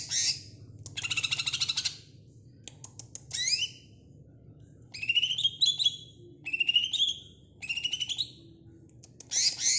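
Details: Greater green leafbird singing: bursts of harsh, buzzy chatter alternating with sharp upslurred whistles and rapid rattling phrases, separated by short pauses.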